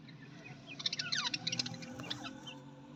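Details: Australian parrot letting out a fast, twittering burst of high chirps and trills lasting about two seconds, over a steady low hum.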